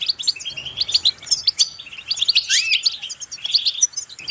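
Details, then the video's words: Goldfinch song meant to motivate birds to sing: continuous, hurried twittering of liquid chirps and trills, with a rising and falling slurred whistle midway. "increasing the enthusiasm of the goldfinch to song"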